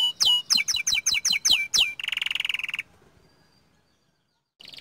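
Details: Young canary, actively singing. Eight sharp downward-sweeping notes are followed by a buzzy rolling trill that fades into near silence, before a new phrase bursts in at the end.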